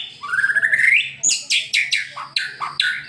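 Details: White-rumped shama song played to make a pet bird sing: a rising whistled glide, then a run of loud, sharp descending whistled notes in quick succession.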